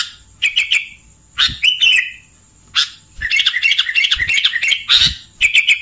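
Sooty-headed bulbul giving bright, chattering bursts of clear chirps and quick warbled phrases, several per second, with a faint steady high hiss behind.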